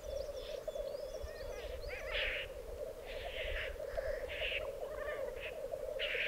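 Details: Displaying black grouse at an Alpine lek in Piedmont, Italy, 2022: repeated short harsh hisses come every second or so, over a constant murmuring bubbling and scattered thin whistles.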